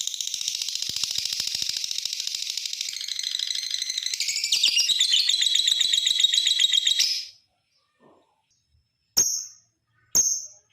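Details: Lovebird ngekek panjang, a long chatter meant to provoke other lovebirds to sing. Seven seconds of continuous shrill, fast-pulsed chattering that rises in intensity, then silence and two short, sharp high chips.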